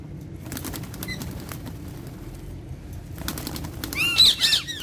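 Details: Pet Alexandrine parrots having fun: soft rustling and flapping, then a loud burst of harsh, rising-and-falling squawks near the end.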